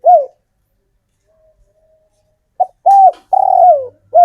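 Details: Spotted dove male, captive local bird, calling females: a falling coo, quiet pause, then a clipped note, a level coo and a long trilled descending coo.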